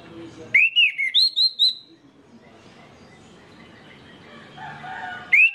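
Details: Lure song of an orange-headed thrush, meant to make other birds of its kind sing: a quick phrase of six loud, looping whistled notes, then a long stretch of quiet murmuring background before one more whistle at the end.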